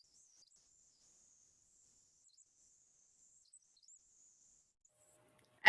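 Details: A Pacific Wren gives a call heard all year round: a long, very high, rapid tinkling cascade of trills lasting about five seconds, ending in a brief click.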